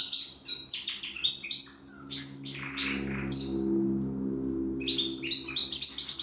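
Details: Song practice by a young Timbrado canary from 2020. Fast, varied trilled phrases break off into a short pause and then resume, over a steady low droning hum in the room.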